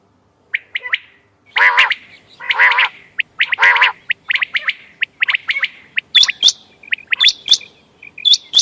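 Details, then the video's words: Quail sounds used for hunting, dated 14 May 2025: short clipped chirps open, then harsh, raspy, layered squawks, followed by quick high whistled hooks and scattered chirping from more than one bird. "quail bird sounds bater ki awaz quail sounds 👌 🔥 بٹیر کی آواز شکار کیلئے quail bird"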